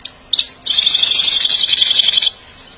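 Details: Captive European goldfinch recorded for song training and stimulation. A short high note, then a fast, bright twittering trill of high, rapidly repeated notes lasting about one and a half seconds, ending abruptly. No other clear sounds.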